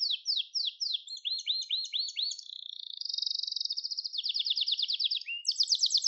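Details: Gloster canary, song for training and stimulating canaries: downward slurs followed by looping upturned notes, then a long smooth rolling trill that grows more pulsed, ending on a bright, high, rapid trill.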